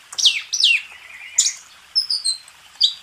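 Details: Oriental magpie-robin (kacer) master song for training contest birds: sharp descending whistled slurs, then short high piping notes with brief pauses between phrases.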